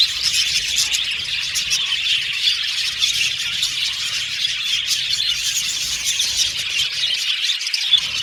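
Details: Budgerigars kept in a cage singing and chirping: a flock's high, busy twittering runs on without pause, mixed with squeaky notes and brief clicking sounds.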